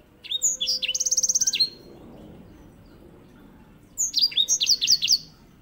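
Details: Grey singing finch (white-rumped seedeater) as a master song for canaries. A high trilled phrase with slurred whistles is followed after a two-second pause by a second run of quick, zigzag whistled notes.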